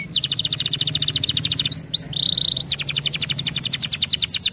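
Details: Canary song used to stimulate other canaries to sing: fast high trills of repeated notes, a brief steady whistled tone in the middle, then another rapid rolling trill, with a low hum underneath.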